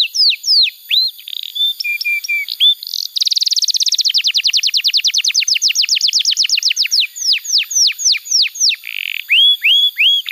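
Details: Canary song played to teach young canaries and restart birds that stopped singing: slurred rising whistles, a soft low buzz, then a long rapid rattling trill, ending with separate upswept whistled notes.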